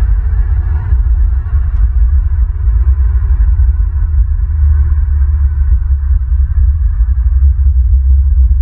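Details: Heavy low rumble and throbbing hum with faint clicks, and no animal voice present.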